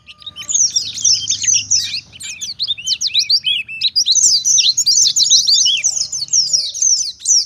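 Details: Oriental white-eye in full forest-style song, played as a lure so other white-eyes reply and as a model for training caged birds: continuous high, thin, chattering trills and quick slurred chirps with short dips, over a faint low rumble.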